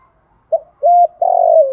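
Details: Lure spotted dove in thổ style voice: one quick note, one smooth steady coo, then a long, loud, pulsing coo dropping slightly at its close.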